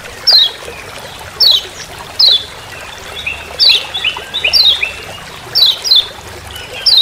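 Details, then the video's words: Kecial kuning Lombok, the Lemon-bellied white-eye, calling "ciak ciak" in forest. Shrill, descending chips are spaced about a second apart, with softer lower twittering notes in the middle. "Masteran Kecial Kuning Ciak Ciak Di HUTAN"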